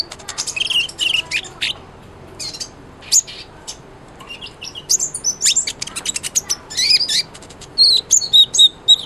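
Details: Sunbird, known as kolibri ninja, singing actively as a model for a white-rumped shama. Bursts of high twittering alternate with brief pauses and end in a series of sharp, evenly spaced descending chirps.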